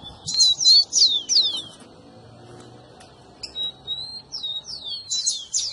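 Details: Rufous-collared sparrow song played to heat up a pet bird: a loud cluster of falling whistles and buzzy chips, a quiet gap, then more thin descending slurs and another loud cluster.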